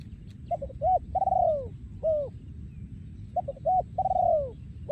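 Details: Cooing song of a breeding male spotted dove in the Thai 'yon ku ang' style. Two repeated phrases of staccato short coos lead into a long falling coo and a clipped ending note, with low background rumble.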